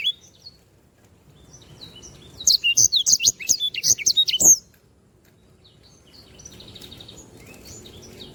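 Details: A canary singing vigorously for bird tutoring gives a two-second run of rapid, high chirps and trills after a quiet start, then falls silent with only faint distant twitters.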